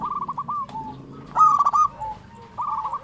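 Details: Zebra dove of local stock in eager song: soft rippling coos lead into one loud, quavering trill. Gentler rolling coo trills follow.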